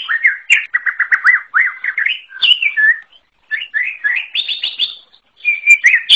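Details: {'caption': 'Wild greater green leafbird singing an unusual, varied song: rapid repeated up-and-down chevron notes, then twisting whistled phrases, a short gap, a run of quick rising trills, and a final steady whistle. Clean background.'}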